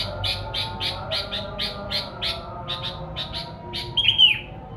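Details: Sooty-headed bulbul, its song played to lure wild birds. It gives a quick series of short, bright chirps at a steady pace. One louder, slurred whistle drops in pitch near the end, over a low steady background hum.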